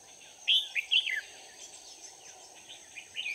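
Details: Caged red-whiskered bulbul acting as a trapping decoy on 4 March 2019 gives one lively, tumbling phrase of sweet, slurred notes, then fainter distant twitters amid a steady insect whine.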